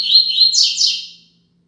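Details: Double-collared seedeater singing a tutor song in the Tui Tui Zel Zel style, used to teach young birds: a bright, high, buzzy phrase of slurred notes, rising and falling over about a second, then silence.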